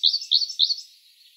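A Siberian blue robin sings three quick, high, sweet phrases, each a double chirp, about a third of a second apart, then trails off into quiet.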